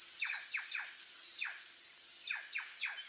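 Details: Rapid descending chirps from a plush-crested jay, about seven short downward-swooping notes in three seconds, with a constant shrill insect drone behind them.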